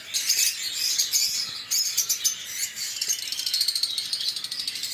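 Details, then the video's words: Lovebird chatter: a continuous high squeaky twittering with rapid buzzy pulses and sharp chirps, loudest in the first seconds, then a steady chatter to the end. "LoveBird Singing & Chirping Sounds"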